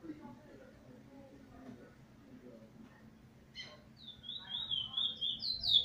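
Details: Chestnut-bellied seed finch (Trinidad bullfinch), a plain brown bird described as very wild, singing a loud burst of rolling, warbled whistles, high and rapid, on 11 January 2020. Low murmuring voices come before it.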